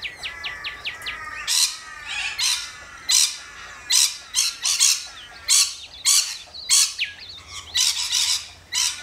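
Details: Rainbow lorikeets in Australia, opening with quick clipped chirps, then a string of harsh, grating squawks at irregular intervals of about a second.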